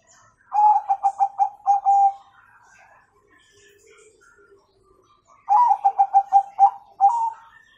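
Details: Zebra dove (Bangkok type) singing in the nggayer style with a kung ending, used to coax young birds to sing: a rapid run of about seven pulsed coos and a drawn-out final note, repeated after a three-second pause.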